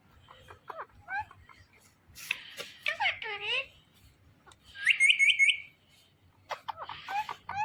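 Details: Talking Indian ringneck parakeet saying its own name in quick wavering syllables, followed by a bright ringing whistled trill and more short squeaky speech-like notes.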